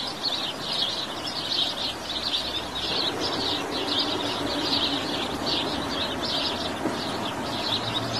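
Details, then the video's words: House sparrow chirping, a steady stream of short high chirps repeated densely throughout, like several birds calling together, over a low background rumble. "Canto e videos do passaro pardal"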